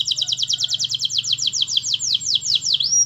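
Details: Canary singing vigorously as a master song for training other canaries: a fast, steady trill of paired high notes that slows into sweeping downslurs, ending on a thin whistle, over a low steady hum.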